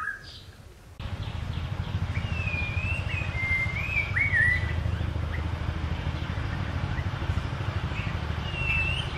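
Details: A White-rumped shama sings clear, rich whistled phrases with sliding, looping notes, set against a steady low rumble of traffic.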